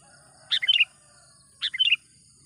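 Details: Two brief liquid phrases from a sooty-headed bulbul, a trapping lure call meant to draw in wild birds, each a rapid tumble of bright chirped notes about a second apart over a quiet background.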